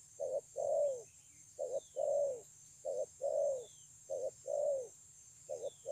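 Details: Spotted dove, wild-caught, delivering 'thổ âm' style song at Kon Long, 9 June 2020: a steady run of low coo phrases, each a short double note followed by a longer descending coo, roughly every 1.3 seconds. Faint high bird chirps.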